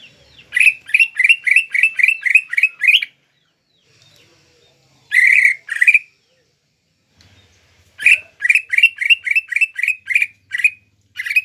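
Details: Caged Greater green leafbird singing rapid bursts of rasping, buzzy notes, about four per second, broken by a long pause and a couple of louder harsh notes mid-way.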